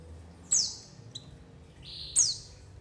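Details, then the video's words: White-eye call used as a lure to draw in wild birds: two bright, steeply falling high notes, each preceded by a short level whistle, over a quiet background. "SUARA PANGGILAN PLECI UNTUK PANCINGAN PLECI AGAR NGALAS BUKA PARUH DAN UNTUK PIKAT"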